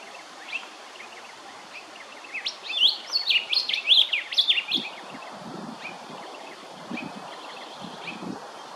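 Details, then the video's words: A male Rufous Whistler at Hervey Bay, Queensland, gives one lively burst of rich, rapid, swooping whistled notes over about two and a half seconds, with a soft low rumble and faint distant chirps behind. "Rufous Whistler (M)"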